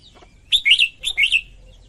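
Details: Female red-whiskered bulbul singing to stimulate males: two quick warbled phrases back to back, each of a few slurred, bubbling notes, after a faint thin whistle.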